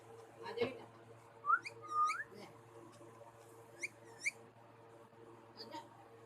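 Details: Pair of pet parrots giving short upslurred whistles and sharp chirps, a couple of louder sliding notes early on, then scattered quick high clicks and peeps over a constant low electrical hum.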